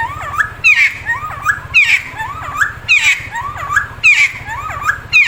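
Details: A Timor friarbird (cucak timor) gives loud, harsh, gurgling phrases that twist up and down, repeated about once a second, over a steady low hum.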